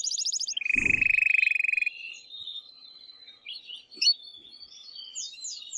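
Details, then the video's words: Male canary singing strongly, excited, to stimulate the female to mate; a fast buzzy high trill, then a long rapid rattling tour at a steady pitch, followed by scattered thin whistled notes and rising slurs. "تغريد قوي جدا كناري هائج لتسميع الفراخ | canary singing"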